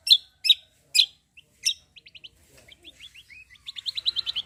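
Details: Cucak kombo singing vigorously, used to lure other young birds into song: loud sharp chirps about every half second, then quick thin whistled notes and a fast, even, high trill at the end.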